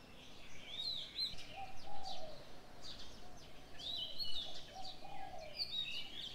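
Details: Birdsong in the morning: whistled phrases of a few notes return roughly every two seconds, answered by softer lower cooing between them.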